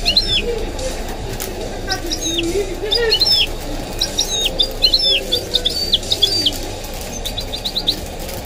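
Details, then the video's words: A goldfinch mule, a goldfinch crossed with a canary, delivers rapid chattering song phrases of high, clipped notes that quicken into a run of short repeated chips near the end, while a man's sports commentary murmurs underneath. "The maestro's singing is amazing - the goldfinch hybrid"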